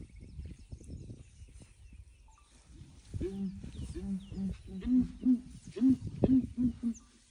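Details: Morning calls of ground hornbills near a curious elephant breeding herd: quiet low rumbling at first, then from about three seconds a run of deep, resonant booming notes that grow louder, roughly two per second.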